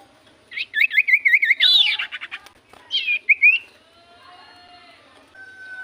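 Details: Common iora song played as a lure to get silent ioras to answer: a run of quick, looping whistled notes, then a louder swept phrase, a short burst of rising notes and a faint steady tone at the end.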